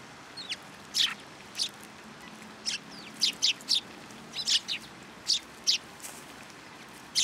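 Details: At a shrine feeding platform on 16 February 2023, sparrows arriving for food give scattered sharp chirps, a dozen or so spread unevenly across seven seconds, with soft background hiss.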